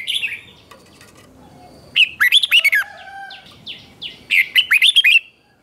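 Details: Red-whiskered bulbul in morning training song of the 'chè' style: two bursts of bright, quick whistled and chattering notes, rising and falling, separated by a quieter pause with faint rustling.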